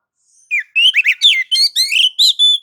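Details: Oriental magpie-robin singing in nagan and ngobra mode to provoke other magpie-robins; a steady string of loud, clear whistled notes, each bending in pitch, ending on a flat sustained whistle.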